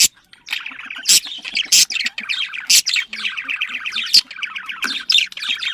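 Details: Pet budgerigars from Australia warbling to encourage mating; dense, unbroken chatter of fast buzzy rattles and chirps, punctuated by several loud, harsh squawks in the first two seconds and later.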